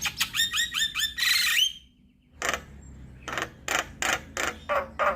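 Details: Javan myna song as a lure for mynas: a quick run of bright ringing notes, a harsh burst, a quiet gap, then spaced loud rasping chack notes.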